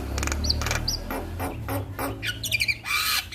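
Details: Male Javan myna singing for a master recording meant to make other mynas sing at once: a fast series of harsh, grating broadband notes with short high whistles between them, ending in a long rasping squawk, with a low background hum.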